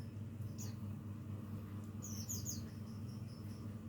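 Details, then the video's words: Young lesser green leafbird learning to sing: a few thin, very high squeaky chirps, then a quick cluster of rapid sharp notes in the middle, all over a steady low hum. "cucak ijo mini belajar bunyi"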